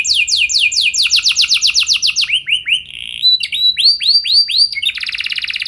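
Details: Canary singing a lure song meant to set other canaries singing: quick descending slurred notes, then rising looped whistles and a final buzzy trill, phrases changing every second or so.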